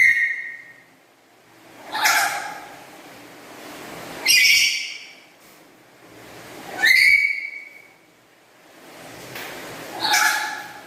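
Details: Black-capped lory kept as a pet, with a melodious, loud voice: five piercing harmonic calls, roughly one every two and a half seconds, mixing upswept whistles and rough squawk-like notes.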